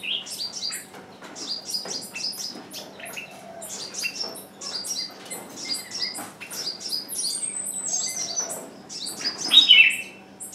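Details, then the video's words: Caged decoy bird calling on and on while wild birds stay away; rapid high descending chirps repeat densely throughout, with a few thin whistled lines and a louder squeak toward the close. "Chim mồi kêu mãi mà bổi vẫn không vào"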